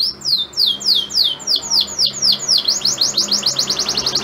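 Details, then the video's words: Male canary singing to a female in breeding condition, meant to make her ready to mate; fast series of high descending sweeps, then quicker rising trills, steady and loud throughout. "Kenari Super Gacor Betina Birahi Langsung Ngleper"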